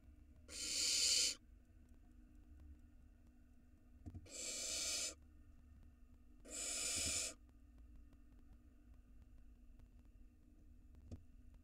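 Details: Small barn owl chick filmed on a nest cam in Israel, 2022, swallowing a gigantic rat: three drawn-out, noisy hissing screeches within seven seconds, then several seconds of near silence with faint knocks.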